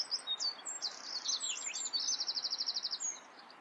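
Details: Common whitethroat (Sylvia communis) singing: a quick scratchy jumble of high warbled notes ending in a fast, even series of about ten clipped notes, over steady background hiss.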